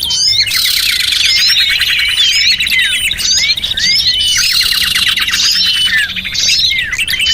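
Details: Small birds on a luring track: a thick chorus of bright, repeated chirps and quick slurred whistles, rising and falling in waves from several birds.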